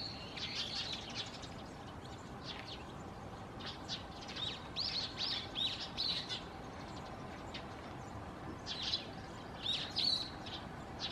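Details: Brown-eared bulbul (Hypsipetes amaurotis) in Tohoku, Japan, gives loud, shrill, squeaky calls in irregular bursts, sharp notes rising high, over a steady background hum.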